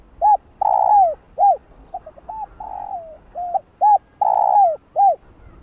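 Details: Spotted dove (cu đất) calling and bow-cooing to excite other doves: low hollow arched coos alternating with longer, fuller drawn-out notes, about ten notes in quick uneven succession, with brief gaps between them and a quiet background.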